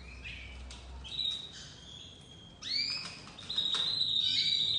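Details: Young white crested domestic canary starting to sing, with sparse, fairly quiet notes: a few sweeps and clicks, then steady high whistled tones growing louder toward the end.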